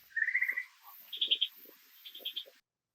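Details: Male Superb Lyrebird calling from a bush beside Lyrebird Walk in the Dandenongs forest near Melbourne, serenading a female out of sight and mimicking other birds: a quick run of rising chirps, then two bright, high trilled phrases about a second apart.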